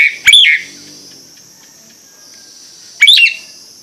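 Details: Two loud, rich whistled calls from a Nias hill myna, each a brief note bending down then up, about three seconds apart with quiet between.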